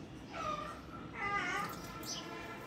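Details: Alexandrine parakeets, an adult bonded captive pair kept in Karachi, the male semi-tame; two drawn-out, nasal, harmonic calls about a second apart, with a faint higher note near the end over steady room hiss.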